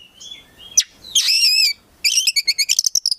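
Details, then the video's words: Oriental magpie-robin, a kept songbird, in full rich song: a thin whistled opening, then a dense buzzy burst followed by rapid repeated sharp notes around seven per second. "KACER GACOR FULL ISIAN"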